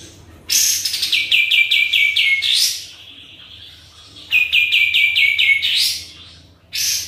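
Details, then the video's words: A sooty-headed bulbul sings two lively bursts, each a quick run of bright chirps ending in a rising flourish, with a brief pause between. "KAPAS TEMBAK GACOR"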